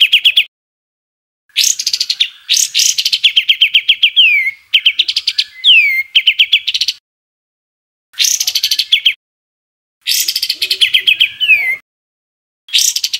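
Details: Bird from a compilation of harsh 'tembakan' masteran song made for training greater green leafbirds and white-rumped shamas: bursts of rapid, sharp downward-sweeping whistled notes in quick series, separated by short silences.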